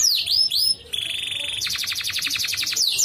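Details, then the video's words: Canary song played as therapy to encourage silent canaries to sing: swooping whistled notes, then a fast buzzy trill and a rapid run of repeated high chips, bright and continuous. "TERAPI KENARI |DIJAMIN KENARI MALAS BUNYI LANGSUNG GACOR"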